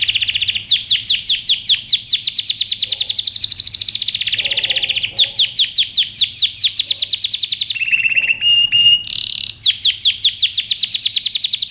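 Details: Yellow canary singing, used as training song for young birds: loud, fast rolling trills of rapid repeated sweeping notes, broken by a held buzzy tour and a steady whistled note, continuous and bright throughout.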